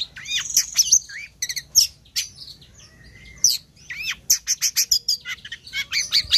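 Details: Long-tailed shrike, called cendet or toed, singing actively: downslurred whistled notes and harsh buzzy rattles, then a short lull, then quick clipped notes in a rapid run.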